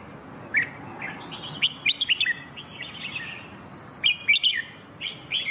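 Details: Red-whiskered bulbul song for singing training: short bright whistled phrases of quick rising and falling notes in bursts, with pauses between groups, over a soft steady background hiss.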